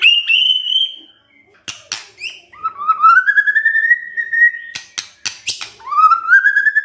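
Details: White-rumped shama kretekan for stirring emotion: a held high whistle, a pause, snapping clicks, then long slowly rising whistled notes, the last climbing again at the end.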